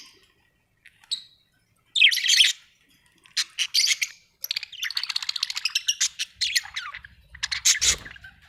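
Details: Pet budgerigars with a few isolated chirps, then a long, rapid stream of ticking, buzzy twitter notes, steady and high-pitched, ending in a loud squawk.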